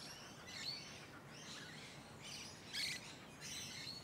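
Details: Musk lorikeets recorded up close in leafy suburban Hunters Hill, Sydney, Australia, in late November to early December 2020: faint, shrill, high screeching bursts in short clusters over a steady background hiss.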